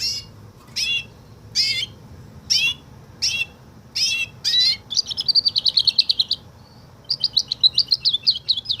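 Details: Canary singing like a Woodlark, the Tourli style: six separate downslurred whistled phrases, then a quick, rolling trill of repeated high notes, a short pause, and a second fast trill.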